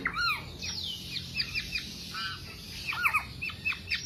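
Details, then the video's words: Black-naped oriole song, recorded as a lure and master recording for songbird keepers. It opens with slurred, falling whistled notes. A quieter string of short, high, chirping and sliding notes follows, and another pair of falling whistles comes near the end. "Kepodang Podang kicau sampe telerrr"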